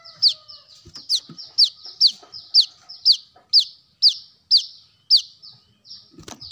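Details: Brown-throated sunbird sound for luring birds: a steady series of loud, high, sharply descending notes, about two per second, kept up throughout with a few faint clicks.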